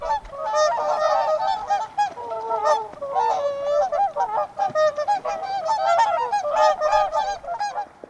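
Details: A flock of whooper swans giving a dense, continuous chorus of loud bugling honks, nasal and harmonic-rich, many voices overlapping with hardly any pause throughout.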